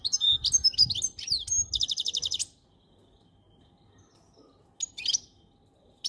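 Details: Goldfinch sings a lively twittering phrase ending in a dry rattling trill, followed by silence and two short chirp bursts.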